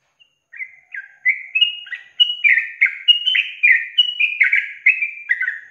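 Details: Yellow-vented bulbul delivering the long ropel panjang trill meant for songbird training: notes start spaced, then speed into a dense, bubbling, warbled stream of downslurred whistles.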